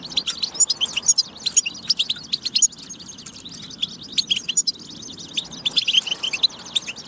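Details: Goldfinch (European) delivering a tabtaba song intended to excite goldfinches into singing: continuous tinkling, buzzy twitter with rapid chirp series and occasional thin whistles, briefly quieter in the middle.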